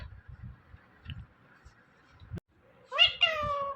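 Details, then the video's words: Pet Indian ringneck parrot, one of two talking parrots: quiet room noise with a faint steady tone, a sharp click, then two loud nasal, meow-like harmonic calls in the last second. "Compilation Of Two Best Talking Parrots"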